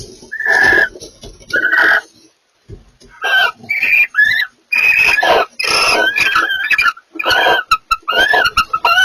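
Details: Barn owls calling while mating give loud, harsh, hissing screeches in bursts of about a second, mixed with rising and falling wavering squeals and short chirps, separated by brief silences.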